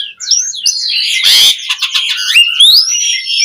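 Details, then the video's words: Jalak suren, the Asian pied starling, in full vigorous song used as a trainer for starlings: continuous high warbling with a harsh rasping burst, then a long clear whistle sliding steadily upward. "Pancingan Suara Jalak Suren Gacor POWER FULL Variasi Isian Buat Masteran Burung Jalak Agar Cpt Gacor"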